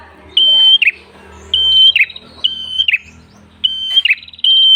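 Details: Vigorous red-headed prenjak tailorbird song meant to lure other birds: shrill level whistles falling into buzzy rasps, given in pairs, over a low background hum.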